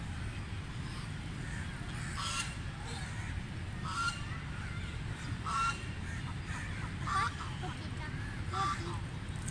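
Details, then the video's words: Ducks while feeding give harsh, honking quacks in short bursts at irregular intervals about every one to two seconds, over a steady low rumble of background noise. "Ducks Feeding Sounds | Duck Noise Sound Effect"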